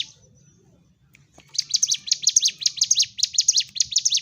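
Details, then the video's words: After a second and a half of near silence, a Sunda warbler bursts into rapid, high, scratchy chirping phrases in fighting-style song, used to provoke birds that have gone quiet. "CIGUN / CIBLEK GUNUNG GACOR TARUNG l Terapi Untuk Pancing EM0SI Burung MACET"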